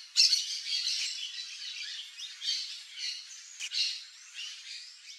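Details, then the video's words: Variable oriole, known in Brazil as encontro, calling: a harsh, grating squawk opens the clip, followed by noisy rasping chatter that comes in several bursts, with no low sounds. "ENCONTRO chamando (ICTERUS PYRRHOPTERUS), VARIABLE ORIOLE"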